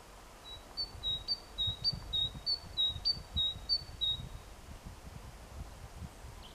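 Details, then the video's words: Tit singing on 14 April 2021, calling its mate: a quick run of about a dozen high, clear whistled notes alternating between two pitches, roughly three per second, over a soft low rumble. "Песня синички"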